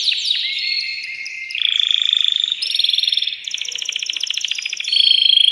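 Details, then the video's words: Agitated male canary, caged, sings to excite a female to mate: a chain of distinct trills, each a rapid pulsed roll at a different pitch, switching abruptly every second or so. "تغريد ذكر كناري هائج يريد تكسير القفص يحفز الأنثي لتزاوج"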